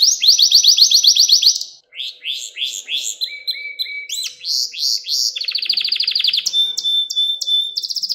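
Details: Canary song: rapid buzzy trills high in pitch, switching between fast repeated notes, rising slurred whistles and rolling tours, loud and clean with no other sounds.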